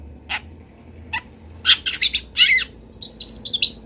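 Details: Local long-tailed shrike from Kendal in a master recording for training birds: a few soft single notes, loud harsh scratchy bursts, then a sequence of thin high twittering whistles.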